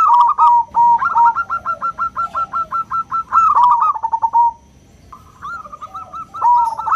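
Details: Local zebra dove with a small, clear 'crystal' voice, used as a lure to stir other doves into singing; rapid staccato cooing notes run in rolling trilled phrases, pausing briefly near the end before a fresh phrase starts.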